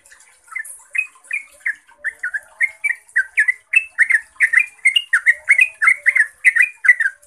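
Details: Long, clear yellow-vented bulbul song played to coax caged bulbuls into singing; rapid chuckling notes pour out, roughly three each second, quickening and growing louder toward the end.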